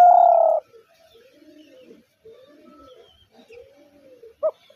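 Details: Spotted dove in the hunter's dove call: one loud, sustained low coo opens, followed by quiet, faint murmuring background and a single short hooked note near the end.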